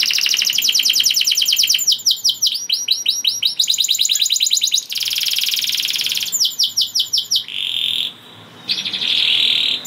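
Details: Singing canary, said to bring other canaries into breeding mood: long run of rapid repeated trills and chopped slurred notes, a brief pause, then steady buzzing rolls.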